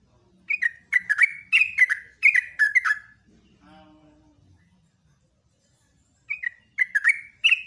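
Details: Yellow-vented bulbul in rapid, continuous morning song: about three seconds of chattering, liquid slurred notes, then a faint low humming tone and silence before the bubbling phrases start again.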